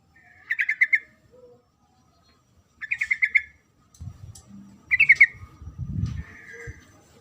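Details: Sooty-headed bulbul female calling the male, giving bubbly chattering bursts of about six quick notes, two of them well separated, then a third over low thumping and rustling noise.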